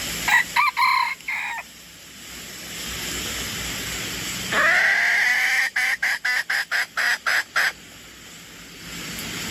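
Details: Crowing decoy junglefowl: a few short harsh calls open, then after a pause comes a sustained rising note breaking into about eight quick staccato pulses, with steady hiss throughout.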